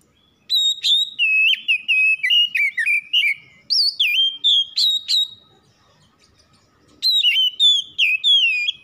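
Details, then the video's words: Domestic Oriental magpie-robin singing a fast, varied string of sweet whistled notes with quick slurs and trills, a pause, then a further burst of bright whistles, on a clean quiet background. "PANCINGAN CEPAT PAGI SIANG MALAM KACER RUMAHAN CEPAT GACOR"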